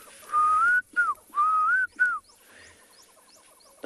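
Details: Klaas's Cuckoo, newly arrived after the rains in South African bushveld on an October morning, gives two clear whistled phrases, each a long rising note then a short falling one, about a second apart; faint chirps from other birds follow.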